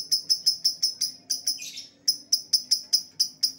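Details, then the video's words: Lovebird lure calls meant to bring back an escaped bird: a steady run of sharp, high chirps about every fifth of a second, broken once by a short harsh rasp. "suara pikat lovebird yang lepas"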